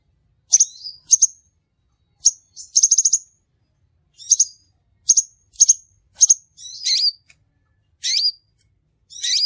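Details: Crimson sunbird lure recording for trapping: very high, sharp metallic chips in ones and pairs, a brief fast trill, then several buzzy down-slurred notes toward the end, over a silent background.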